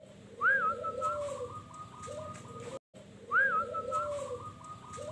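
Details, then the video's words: Local zebra dove (perkutut) singing ('manggung') in the wild in Sukowiono village, Tulungagung, a formerly kept bird released: a whistled rising note followed by a level rolling trill, given twice, with a lower cooing phrase and faint rural background. "dalam perjalanan kemarin saya menemukan seekor perkutut lokal yang lagi manggung di alam."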